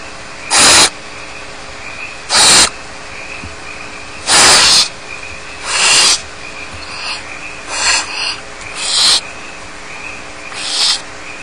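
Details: Nestling barn owls, unattended at Starr Ranch, keep up a long, irregular series of rasping hisses. Several strong bursts give way to shorter, fainter and more broken ones.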